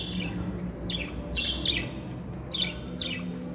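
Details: Pet budgerigars of both sexes, said to talk, make soft scratchy chirps and one louder bright squawk, in loose irregular bursts over a low background hum.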